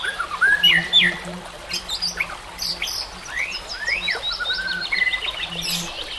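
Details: Singing white-rumped shama amid nature sounds: varied whistled upslurs and downslurs, buzzy high flourishes, with a low repeated hum and background hiss throughout.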